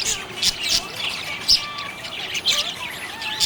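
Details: Happy budgerigar chirping with scratchy warbles and brief squeaks, broken by several sharp louder clicks about once a second against a soft steady chatter.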